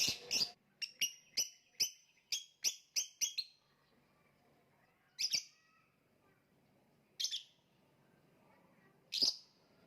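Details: Lovebird, kicau mania contest bird described as macet: a quick series of piercing high chirps about three per second, then isolated shrill squeaks every two seconds in near silence.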